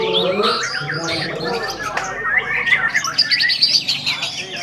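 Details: Caged white-rumped shama song: dense continuous warbling of rich whistles, rattles and chattering notes, loud throughout, with a faint sharp tick partway.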